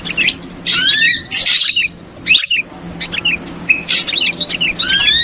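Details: Ashy drongo lure call in the noisy 'trucukan ribut' style: bursts of rising slurred whistles and harsh chattering notes, broken by a short pause near the middle, over a steady low hum.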